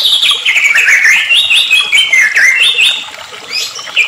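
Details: White-rumped shama singing excitedly as a lure for other shamas: a fast run of high whistled notes stepping up and down in varied phrases, continuous and loud.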